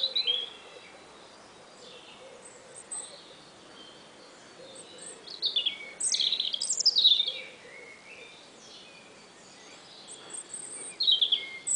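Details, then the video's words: An American robin sings bright, whistled phrases that sweep down in pitch, in bursts a few seconds apart, in spring, over a faint, steady low background hum. "song of the Red Robin"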